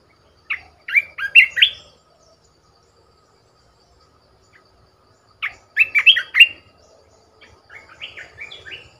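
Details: Caged red-whiskered bulbul decoy bird repeating its song: a lively burst of chirpy whistled notes, a silence of several seconds, the same burst again, then a softer trailing phrase.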